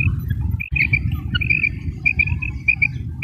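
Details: Female common quail calling in Pakistan with short, high, clipped notes in quick irregular runs, some doubled, over constant low-frequency rumble.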